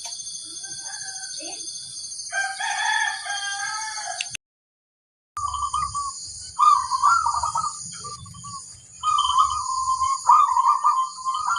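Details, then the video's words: Local zebra dove singing actively: after a mixed chirpy, whistled stretch and a brief gap, low trilled coos come in short rolling bursts, repeated with brief pauses, over a faint high hiss and low rumble. "Suara burung perkutut suara paling besar - istimewa mengundang"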